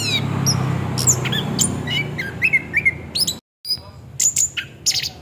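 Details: Orange-headed thrush song meant as a lure to get the bird singing: high sharp whistled notes and short sweeps over a steady low hum, broken by a brief silent gap.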